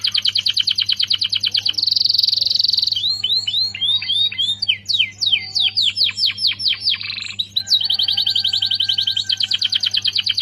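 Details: Canary singing vigorously, used as a lure and tutor song for White-rumped Shamas: fast rolling trills of repeated high notes, a buzzy steady tour, then a run of loud downward-slurred whistles, switching back to rapid trilling.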